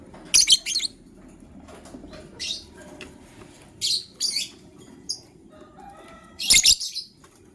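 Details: Morning chirping of lovebirds, including a gray one ready to lay eggs and a yellow-green one: a few loud, raspy high bursts, some doubled, separated by quiet gaps with low background rumble.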